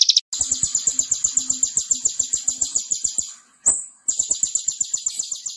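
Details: Konin singing constantly as a tutor recording for other birds: shrill high trills of rapidly repeated notes in long runs, broken by a short gap and one sustained whistled note, with soft clicks and ticking underneath.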